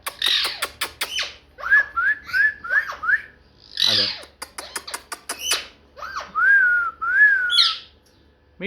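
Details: Pet parrot in a room producing rapid clicks and rough chatter, a string of short rising whistles, a breathy burst, then two longer smooth whistled notes and a squeak.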